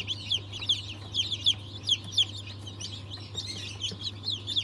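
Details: Newly hatched chicks of Sultan, Fizan and İspenç breeds, hatched 22.02.23, giving high, thin peeps in quick repeated bursts over a steady low machine hum.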